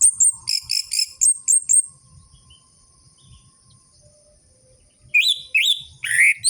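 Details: Singing orange-headed thrush on a lure track aimed at caged birds that have gone quiet. A fast series of clipped, rhythmic high chips stops for a three-second pause, then rising slurred whistles follow.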